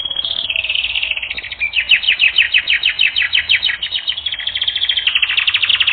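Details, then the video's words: Canary singing on a training recording: a fast run of bright, sweeping chirps repeated several times a second. It opens with a high, steady whistled note, then breaks into quick rising-falling notes that form an even, rolling series. "Canary Training Recording"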